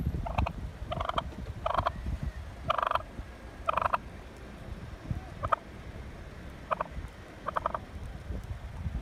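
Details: A wild turkey gives about eight short, harsh, honking squawks at uneven intervals over low engine or wind rumble, while pecking at and chasing a car.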